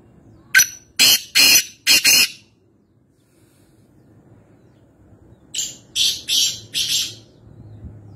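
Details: Wild black francolin (kala teeter) at Nawabshah, Pakistan: two harsh, grating call phrases, each a short clipped note followed by three longer rasping notes, separated by about three seconds of quiet with faint low background hum.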